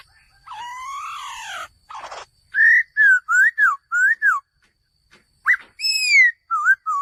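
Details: Male laughingthrush beginning with a long, rasping, rising-falling note and a noisy burst, then sets of clear, looping whistles separated by a short pause.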